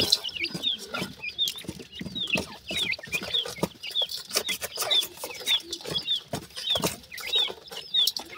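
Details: Pair of young grey francolins calling: shrill, slurred peeps repeated about a hundred times a minute at an uneven pace, over frequent dry clatters and knocks.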